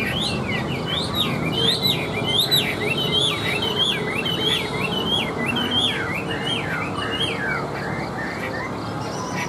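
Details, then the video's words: Chinese hwamei, a tame caged bird carried by hand and placed on a table, delivering loud, rich whistled phrases that rise and fall in quick, varied succession, the song continuing without pause over faint background noise. "Họa Mi Hót"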